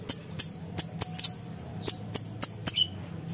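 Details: Cucak cungkok, or brown-cheeked bulbul, singing sharp 'nembak' notes as tutor material for contest birds: nine piercing high ticks spaced roughly every third of a second, one ending in a brief rising whistle, over a quiet low hum.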